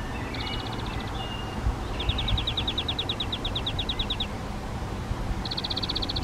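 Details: Spotted Flycatcher pair nesting in a half-open box on a garden hut, feeding flying insects to two chicks: three bursts of rapid, high, thin ticking notes, the longest about two seconds, over a low rumble.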